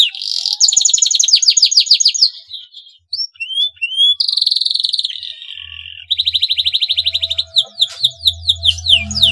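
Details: Male canary in breeding condition, singing to set other canaries singing; rapid trills and buzzy rolls, a short pause, then sweeping whistles and fast repeated notes, with a low hum toward the end.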